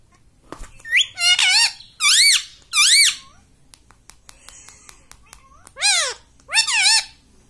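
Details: Pet parrot taught to say "mummy": five loud, nasal, arching harmonic utterances, three in quick succession, then a pause with soft clicks and tapping, then two more, each rising and falling like a spoken word.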